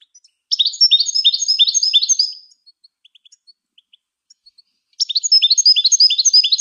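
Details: European goldfinch singing, recorded to teach and stimulate other songbirds. Two fast, high-pitched twittering phrases of tightly repeated chirps, the first about two seconds long, separated by scattered soft ticks. No other sounds.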